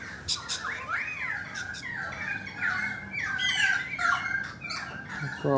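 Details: Currawongs calling from a balcony, mixing rolling, looping whistles with harsher squawk-like notes in a lively run.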